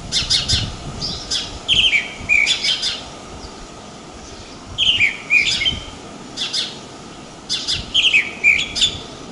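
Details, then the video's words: House sparrow at Pipa beach, Tibau do Sul, Rio Grande do Norte, Brazil, giving bursts of sharp, slightly descending chirps in groups, each cluster about a second long, separated by short pauses. "SOM DO PARDAL, CANTO DE PARDAIS"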